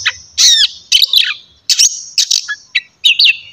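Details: Kacer, the Oriental magpie-robin, giving loud morning ngeplong song: bright slurred whistles in short bursts about every half second, separated by brief silences.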